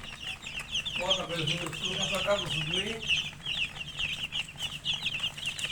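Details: Murgi chicks chirping in a steady high-pitched chorus of rapid peeps, with a lower wavering voice-like sound rising and falling in the middle seconds.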